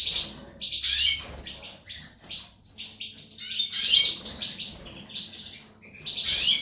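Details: European goldfinch song of repeated bright chirps and trills in high, bouncy phrases, growing louder toward the end.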